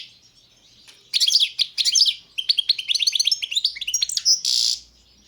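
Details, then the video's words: European goldfinch of the Balkan subspecies balcanica singing a rapid phrase of sweet twitters and slurred notes that runs into a rolling chatter and ends in a harsh buzzy note; otherwise a quiet background. "Pesma štiglića, češljugara , grdelina, lokera carduelis balcanica"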